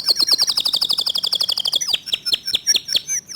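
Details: Local canary singing in the fast, dense 'tembakan speed rapat' style, described as clear-voiced: a rapid run of about twenty sharp high notes in under two seconds, then slower, spaced chips and upward-sweeping whistles.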